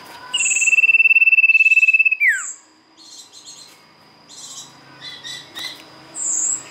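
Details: Sirtu song used to lure birds. A fast pulsing high trill lasts nearly two seconds and ends in a falling slur, followed by scattered soft chirps and squeaky notes from other birds.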